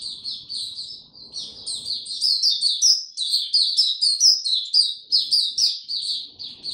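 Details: Caged white-eye, a bird named Hercules in the original, singing in warm, very humid weather on 26 March 2022: a continuous run of high, rapid chirping and twittering phrases, densely packed, with faint low background rumble.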